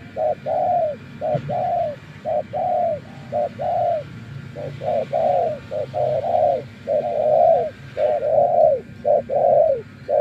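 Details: Spotted dove used as a decoy after many days in the wild, cooing steadily and loudly in a long run of short and longer mellow hoots, nearly one per second, background quiet.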